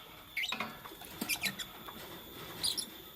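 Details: Green Fischer's lovebird (Agapornis fischeri) giving short, thin, high squeaky chirps in three brief bursts, mixed with soft scratchy rustling and patter, while making a nest, in the morning.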